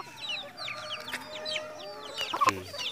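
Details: Red junglefowl bred in captivity in Mukomuko, Bengkulu, Indonesia: many overlapping high, down-slurred chirps from several birds, with a louder sharp note near the end.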